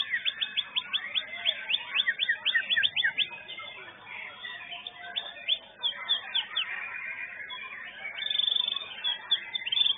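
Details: White-rumped shama, a caged bird that placed second at a song competition arena, singing rapid, dense bursts of sharp chirps and rising whistles, several notes per second, with other competing birds and faint crowd noise in the background.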